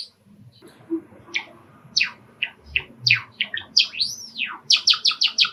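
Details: Pet male sakura Java sparrow singing indoors, excited by sparrows calling from a park outside an open, screened balcony window: a run of short sharp chirps and clicks, then a long arched whistle and quick high notes repeated rapidly.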